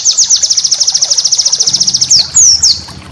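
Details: Training master song from a white-eye, valued for its rapid bursts: a very fast, even rattle-like trill of thin high notes for two seconds, closed by two or three louder slurred whistles.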